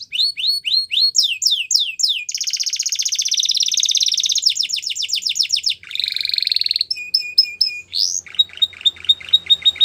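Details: Belgian canary song meant for training young canaries, a continuous varied performance: fast descending swept notes, dense buzzing trills, a steady flat whistled note, then quick repeated chips.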